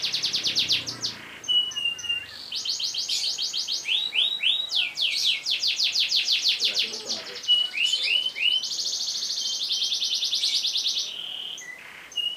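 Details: Long roll song of a canary, used as a tutor recording so other cage birds learn and sing more. Fast buzzy trills and rattling rolls follow one another almost without pause, broken by brief upward-sweeping whistled notes and a short quieter gap near the end.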